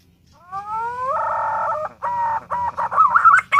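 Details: Pink-necked green pigeon giving a smooth whistled note that slides upward, then holds steady for nearly a second, followed by a run of shorter broken, wavering whistles; faint low hum underneath.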